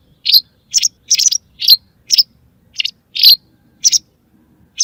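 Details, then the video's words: White wagtail hunting-lure calls: nine bright, high chirps, some split into quick double notes, repeated at uneven intervals of roughly half a second. "صوت لصيد طيور الزعرة البيضاء"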